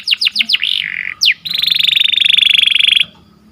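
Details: Morning song of a canary, sweet and lively: quick downslurred notes, a short buzzy phrase, one steep descending sweep, then a long rapid rattling roll held for about one and a half seconds.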